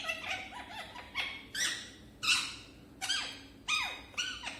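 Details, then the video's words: Pet parrot speaking for the first time. It makes a string of short, harsh, voice-like syllables with sliding, downswept tones, spaced about every half second, indoors. "Talking parrot"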